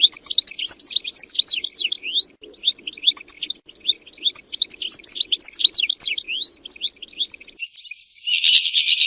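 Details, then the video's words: European goldfinch song, meant for mating and for training goldfinches to sing. A steady stream of fast, sliding, twittering notes ends in a harsh, buzzy drawn-out note. "مجموعة اصوات لطائر الحسون ل التزاوج و تعليم الحسون التغريد"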